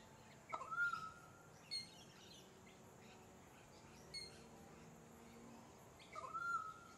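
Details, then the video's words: Pied currawong, Sunshine Coast, Queensland, October: two clear whistled notes several seconds apart, each sliding up then holding level, with faint distant chirps and a low hum between them. "Pied Currawong"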